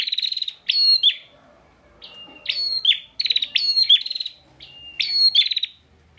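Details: Captive bar-winged prinia kept in Pemalang, Central Java, used to train other songbirds; bursts of shrill chirps and buzzy trills alternate with brief level whistles, separated by short silent gaps.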